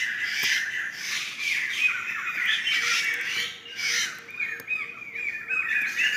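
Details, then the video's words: Laughingthrushes in a wild flock in Sumatran forest make scratchy, overlapping squawks and chatter, with a faint row of short low notes and a steady background whine. "Suara burung Poksay dihutan"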